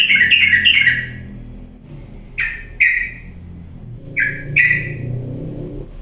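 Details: Sooty-headed bulbul playback meant to get idle birds singing. A quick chattering trill opens, then four short, sharp, descending chip notes follow in pairs over a steady low hum.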